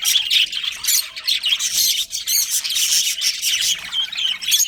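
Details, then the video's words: Budgerigars of a breeding colony give loud, busy high chatter, with squawks and warbled chirps running together and a slight dip just before two seconds. "Cute Budgies Chirping Sounds"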